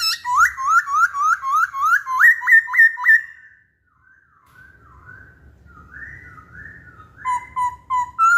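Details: Masked laughingthrush giving loud repeated upslurred whistles, about three per second, then soft warbling phrases after a brief silence, ending with sharp clear whistled notes.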